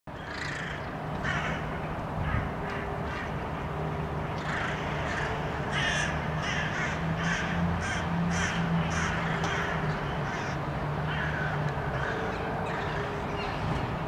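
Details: Several Hooded Crows call while harassing a hawk standing on a rooftop in Helsinki, Finland, in January; harsh, rasping caws repeated rapidly and irregularly, overlapping between birds, over a steady low urban hum.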